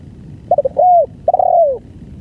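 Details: Spotted dove in long-duration song, one full phrase: a few clipped stuttering notes, an arched coo, then a longer, wavering coo that slides downward. Quiet low rumble behind.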